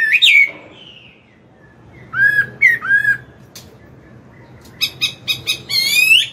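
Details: Chinese hwamei, a wild-caught adult singing in the morning for a young bird: scattered loud whistled slurs separated by quiet gaps, ending in quick repeated chipping notes and a rising whistle.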